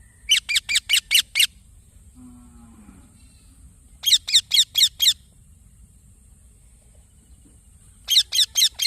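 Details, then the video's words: Chirping green parrot chick: repeated bursts of five or six rapid, scratchy downslurred notes separated by quiet gaps of a few seconds. "Green Baby Parrot Chirping Sounds"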